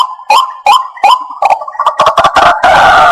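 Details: White-breasted waterhen sound used for bird trapping: rising nasal squawks come every third of a second, then quicken into stuttering notes and end in a harsh rasping burst.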